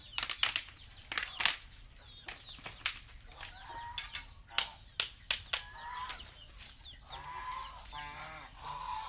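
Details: Farm geese in Asia calling: harsh, nasal honks, several stretched and wavering toward the end, over constant high peeping of young fowl, with sharp knocking and tapping sounds and a brief voice afterward.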